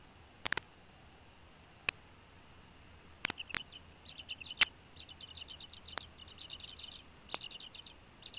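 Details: Bald eagle at a nest in Northeast Florida, with parents bringing fish and feeding two eaglets hatched in December 2015, recorded 14 January 2016: a quiet run of short, high chittering notes after about three seconds, broken by sharp clicks.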